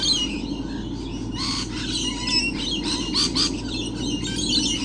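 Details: Lorikeets everywhere on 28 November 2013: a noisy flock gives harsh, shrill screeches and squawks in overlapping bursts, loudest midway, over a low continuous hum.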